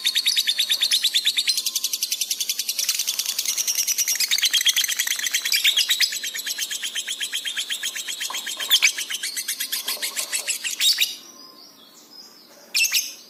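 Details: Masteran recording of a lovebird in intense chatty song for training pet birds: an unbroken, very fast, high, buzzy rattling chatter for about eleven seconds, ending in near silence with one last sharp burst.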